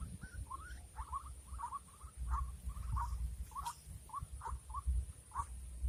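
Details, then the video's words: Clipped, upward-curling croaks of a white-breasted waterhen, recorded while luring the bird for trapping in the rainy season, repeated unevenly about twice a second against a low steady hum. "Pikat ruak ruak"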